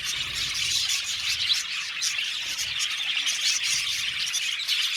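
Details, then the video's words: Budgerigars, a colony of some 70 pairs kept in an aviary, chatter together in a thick unbroken layer of shrill chirps and warbles, many voices overlapping throughout. "Beautiful Budgies chirping sound"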